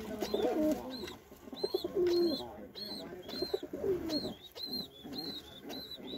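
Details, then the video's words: White Indian Lokkha pigeon giving low, rolling coos that rise and fall, three bouts spaced about two seconds apart, over a steady run of thin, high arched chirps from other small birds. "White Beautiful Lokkha pigeon | Indian white Lokkha | Pigeon Sound"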